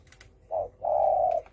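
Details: Spotted dove giving its thổ sấm-style call, used to provoke other birds: a short low coo, a brief pause, then a longer, steady, mellow coo. The background is quiet.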